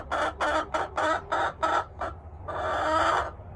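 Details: Buff Orpington hen giving a string of about seven quick, harsh clucks, then a short gap and one longer, drawn-out nasal squawk.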